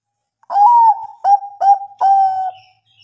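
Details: Bangkok zebra dove song meant to prompt silent birds to reply: four clear, hollow coos, the first drawn out and slightly rising then falling, the rest short and level, ending in a sustained final note.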